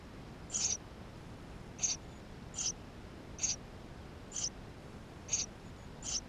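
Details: Eurasian tree sparrow nestlings inside their nest, captured with a GoPro: seven short, shrill squeaks, each about a second after the last, repeated in a steady rhythm.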